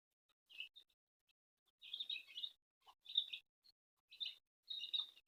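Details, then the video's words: Baby chicks being fed by their mother hen at a house, peeping in short bursts of high, thin chirps with brief silences between clusters. "Baby chicks chirping sound"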